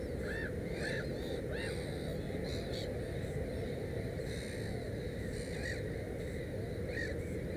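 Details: Black-headed gull at its nest with three chicks: a few short, harsh arched calls spaced about half a second to a second apart, fairly faint over a steady low rumble of wind or background noise.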